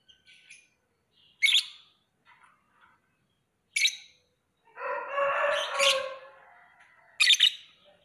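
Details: Lovebird uttering sharp, shrill single chirps spaced a second or two apart, with a long harsh rasping sound of lower pitch in the middle and soft chatter in the background.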